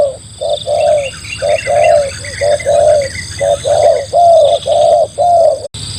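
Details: Spotted dove calling as a lure for wild doves: a loud, low, hollow coo phrase of about ten rounded notes in steady rhythm, roughly one per second. Faint chirping of other birds and a steady high hum run behind.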